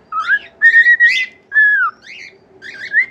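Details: Pet cockatiel singing a learned tune: clear whistled notes, some rising and some slurred downward, in short phrases with brief gaps, plus a faint low background hum.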